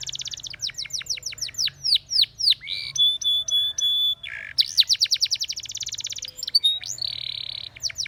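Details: Singing Spanish Timbrado canary, used as a training song: rapid series of descending chips, a steady high whistle, then dense buzzy trills and a held rattling note, continuous and loud.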